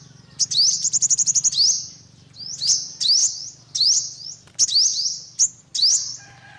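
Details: Olive-backed sunbird calling: a fast run of high chips, then sharp, thin rising sweeps in short bursts separated by brief pauses, with a faint low hum underneath.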